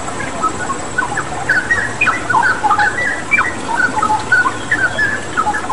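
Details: Straw-headed bulbul (cucak rawa) singing actively, used as a tutor recording for pet birds: short clear whistled notes and slurred phrases tumbling rapidly, about one per second, over a steady rushing water sound.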